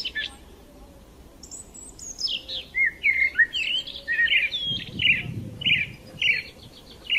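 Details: Sparrows chirping in the morning: sharp, high chirps and short whistled notes in irregular bursts, repeated roughly every half second, with faint low background rumble.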